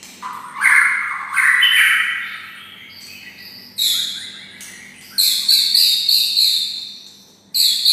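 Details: White-rumped shama kept next to red-whiskered bulbuls, imitating bulbul song. Slurred rising whistles are followed by bursts of high, fast trills, with short quiet gaps between phrases.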